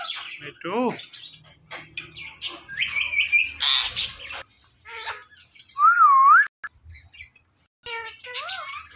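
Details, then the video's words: Ringneck parrot mixing mimicked speech syllables, harsh squawks and a loud, looping whistle that dips and rises. Quieter chatter fills the gaps. "The Best Talking Compilation Of Ringneck Parrots"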